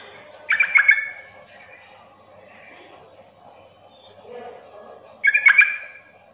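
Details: Yellow-vented bulbul calls used as a lure to provoke other young, rarely calling bulbuls into calling back; two short bursts of bubbly chattering notes about five seconds apart, quiet low background hum between.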